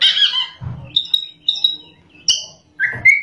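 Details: Kacer, or Oriental magpie-robin, singing busily with rolls and sharp shot notes: a harsh high burst, then clear short whistles, a brief buzzy note and a rising slurred whistle.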